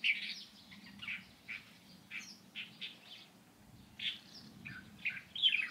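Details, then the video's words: Light-vented bulbul on 16 April 2023 giving a steady sequence of short, squeaky chirps, each somewhat downslurred, spaced about every half second, over a faint low hum. "검은이마 직박구리"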